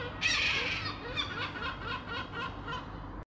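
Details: A gull gives a loud, harsh squawk, then a run of shorter nasal cries repeated quickly over a constant low background hum.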